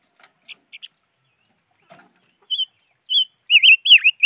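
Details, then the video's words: A five-coloured bird gives a few faint clicks and chips, then a run of clear whistled notes that grow longer and more warbling toward the end. The final note dips downward in the middle. "Suab noog rheeb quaj chim ngũ sắc"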